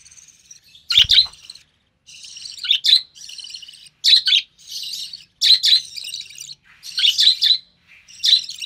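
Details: Young recessive pied budgie, hatched in early June 2020 from a white recessive pied male and albino red-eyed female, being fed by its mother; steady run of high scratchy chirps and buzzy phrases with one short thump near the start.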